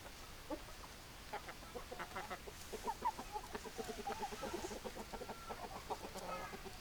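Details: A flock of hens clucking continuously, with many overlapping short pulsed clucks and a few squeaky notes from several birds.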